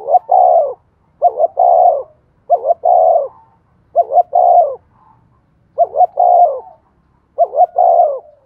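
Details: Decoy spotted dove calling to prompt other doves to coo, giving six phrases in quick succession, each a pair of short rising hoots followed by a drawn-out, slightly descending coo, with brief pauses between.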